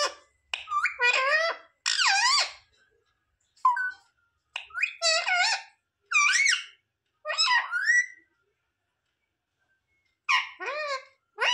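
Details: Pet parrot (mitthu) talking indoors, mimicking words such as "mummy papa": about ten short harmonic, voice-like syllables in loose groups, rising and falling in pitch, with clear silent gaps between them.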